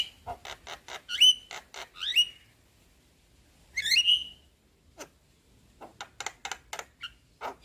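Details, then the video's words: Javan myna with white eyes, bobbing its head, giving lure chatter for quiet birds: scratchy clicking notes, a few loud upswept whistles, a pause, then more dry ticking bursts. "Pancingan Jalak kebo Macet Bunyi / Jalak Kebo Stres Dengan Ocehan Jalak Kebo Mata Putih Manggut2"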